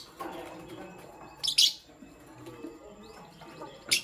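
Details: Pastel gray and green lovebirds in the morning, with two bright, shrill chirp bursts, one doubled near the middle and one at the end, over a soft murmuring background.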